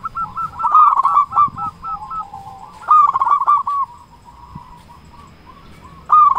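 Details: Local zebra dove singing loudly and persistently, used as a lure to make other doves sing: rapid stuttering coos in a mid-pitched trill, with a pause and a second phrase, then a last burst at the end.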